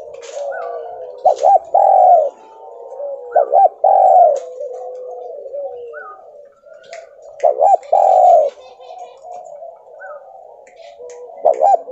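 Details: Spotted dove, a Javanese tekukur used as a lure call to get other doves singing, in the stuttering kuk 2 and kuk 3 style: bursts of two or three short hooting coos, each followed by a longer rolling coo, with fainter coos in between.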